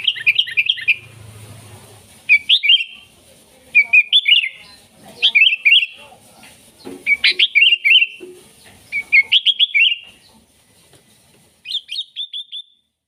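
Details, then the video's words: Sooty-headed bulbul in lively song used to call wild bulbuls: bright, bubbling chirped phrases of several quick notes, repeated roughly every one and a half seconds, with a brief low hum at the start. "Suara Burung KUTILANG GACOR Ampuh Untuk Panggilan Kutilang Liar"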